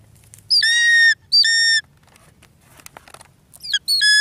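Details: Changeable hawk-eagle, light morph, while hunting a bird: loud, shrill screams, a high note dropping into a long steady piercing tone, two in a row then two more after a pause.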